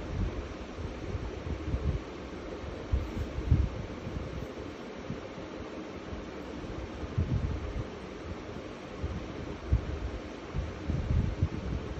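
Steady low wind-like rumble and fan-like hiss throughout, with no animal voice.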